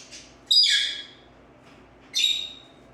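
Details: Pet green-cheeked conure: two harsh, buzzy squawks about a second and a half apart, each a loud sudden onset fading over half a second, with a faint short chirp before the first; quiet indoor room otherwise.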